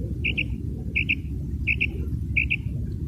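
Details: Common quail (bater) call, a quick pair of sharp high notes with a short trailing tail, repeated about every 0.7 seconds over loud low rumbling noise.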